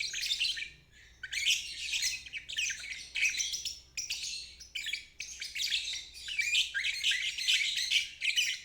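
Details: Ngeriwik trill of a lovebird, used as training for young or stalled birds; rapid scratchy chattering phrases, a pause near the first second, then long continuous bursts.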